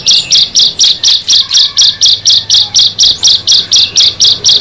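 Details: Bar-winged prinia (ciblek), one of six birds brought together, singing a steady series of buzzy, high-pitched notes, each repeated about four times a second with very even rhythm, over faint low background hum.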